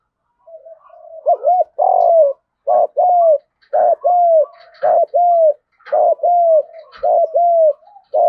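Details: Spotted dove giving a fighting coo in the country-style voice, used as a lure: a long series of low, arched coo notes, mostly paired, repeated roughly once a second with short gaps.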